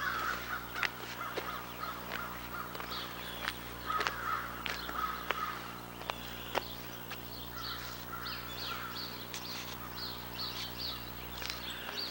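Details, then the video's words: Crows calling outdoors after porch birds were fed a whole loaf of bread, 60 or 70 pieces, on the first day of spring: harsh, rough calls scattered irregularly over a steady low hum, with occasional sharp knocks. "we fed the porch birds and you can hear the crows here we fed them a whole loaf of bread 60 or 70 pieces"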